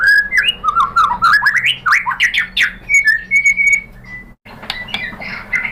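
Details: White-rumped shama song meant to provoke other shamas: varied quick whistled phrases and upward sweeps, a few steady held whistles, then a short pause and softer chirps over a low hum.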